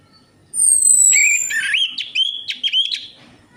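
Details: Orange-headed thrush singing on a lure track meant to get a reluctant bird singing. A high, sliding whistle leads straight into a fluent, rippling warble of quick notes that rise and fall, tapering off after about two seconds.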